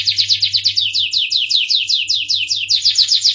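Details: Sweet-voiced starblue canary delivering a steady series of clear, downward-slurred high notes repeated about five times a second, each one bright and evenly spaced.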